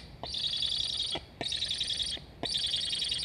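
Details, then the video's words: Black stork nestling in Estonia asking to be fed, 26 August 2021, nest camera, with a sibling flying at the nest; three loud, even, buzzy wheezes, each near a second long, separated by brief pauses. "Sibling flying along the nest, Julge 7181 asks to eat. Both are chirping."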